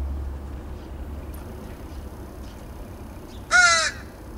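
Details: A single loud harsh caw from one of two backyard crows in Edmonton, Alberta, Canada, on 28 August 2012, after a quiet stretch with a low hum in the background.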